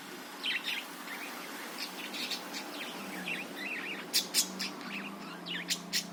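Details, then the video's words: Budgerigar song played as a lure to provoke other birds into singing: a busy run of short chirps and twittering notes, some sharp, loud clicks near the end, with a steady low hum underneath. "suara burung parkit ..bagus ni buat pancingan"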